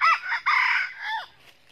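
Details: Crow of a red junglefowl in a Vietnamese trapping session with a red-eared decoy facing a wild bird; the voice style is called 'cà lắm'. A loud broken crow: a sharp note, a long harsh middle, and a falling ending.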